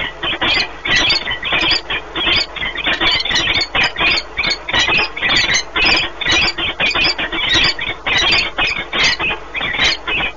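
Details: Peregrine falcons, a pair bonding during a long nest meeting in Płock, Poland, 1 March 2019; continuous fast series of harsh, scratchy chattering notes, several per second, with a faint steady hum beneath.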